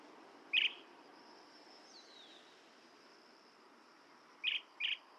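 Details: Blue-tailed bee-eater giving one loud burry note, then after a pause two more in quick succession, over faint background hiss.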